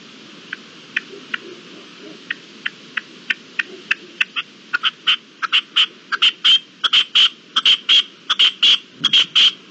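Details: At dawn on 18 April 2021 a red-legged partridge gives its call: soft, widely spaced clicks that quicken and swell into a loud, insistent run of grating, chuffing notes.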